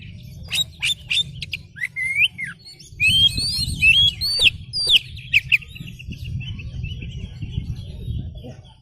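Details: Oriental magpie-robin singing energetically with its tail spread, a lure song meant to make other magpie-robins answer: quick clicks and sharp buzzy bursts, then a run of rising and falling whistled notes, with a low steady hum underneath.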